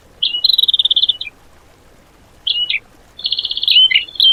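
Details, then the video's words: High, rapid trilled phrases with a sharp falling note, repeated after short pauses, used as song material for tutoring cage birds. "MATERI ISIAN BURUNG TEMBAKAN MEWAH POWER DOOR"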